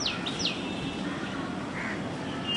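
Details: Common tailorbird (Orthotomus sutorius) vocalizing heavily during nesting season: two sharp, high notes sweeping quickly downward open the clip, followed by a steady background hiss and a faint later note.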